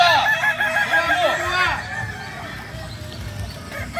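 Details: At an AMKO training competition, kukuak balenggek chickens crow. A loud, undulating multi-note crow fills the first second and a half, then fades into quieter distant crowing and a low rumbling background murmur.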